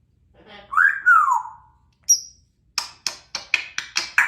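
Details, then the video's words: Chatty pet African grey parrot makes a drawn-out, speech-like harmonic sweep falling in pitch, then a brief high whistle, followed by six rapid, sharp clicking chirps at regular intervals. "the African Grey Parrot starts out with hello give me a big kiss"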